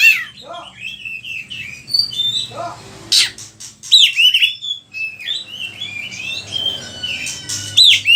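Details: Oriental magpie-robin singing a varied repertoire meant for training other birds: descending whistled slurs, scattered sharp clicks and chatters, and sweet warbled phrases throughout.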